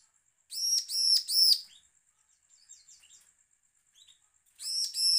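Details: Threatening bar-winged prinia call used to provoke other prinias to sing: a burst of three harsh, rasping, buzzy notes, a quiet stretch with faint soft chips, then two more grating notes.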